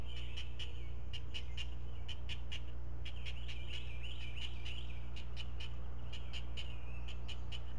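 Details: Four great blue heron chicks, nest camera, fed fish one at a time by a parent at breakfast; fast repeated clicking in runs with a wavering chattering call midway, steady hum behind.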